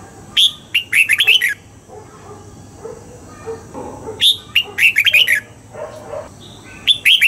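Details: Dawn training session for a red-whiskered bulbul in the double-note 'old forest' style: three bursts of quick, ringing chirped whistles roughly three seconds apart, with faint low chatter in between.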